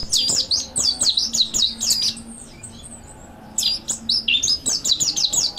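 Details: Mountain white-eye training song, bursts of quick, high twittering slurs, then a pause of about a second and a half with soft faint chirps and a low hum, before the rapid twittering resumes.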